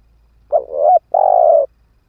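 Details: Decoy spotted dove, ground-style, giving its luring coo: a short wavering rise, a brief break, then a sustained even coo that fades slightly at the end.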